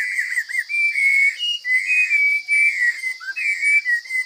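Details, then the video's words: Forest Chinese hwamei singing with a strong, fine voice: an unbroken run of rich, warbling whistled phrases, sliding up and down at mid-high pitch, over a steady high-pitched hum. "Coob hav zoov quaj tau zoo kawg!"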